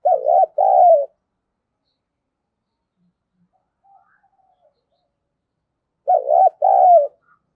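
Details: Decoy spotted dove cooing to attract wild doves: a deep two-part coo, each part wavering and falling, then a long pause with a soft faint note, and the same paired coo again roughly six seconds later.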